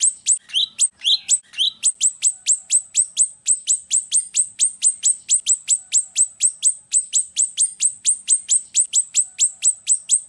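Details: Golden-bellied gerygone (rio-rio) song used for tutoring and luring: a fast, steady run of very high, thin, down-slurred notes, about three a second, with a few lower notes at the start.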